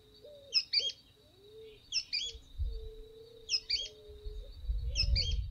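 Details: A Sooty-fronted Spinetail, a small bird of tangled scrub edges, in São Miguel do Iguaçu, Paraná, Brazil, gives a sharp, high two-note call of quick rising notes, repeated about every one and a half seconds over a steady hum and low rumble.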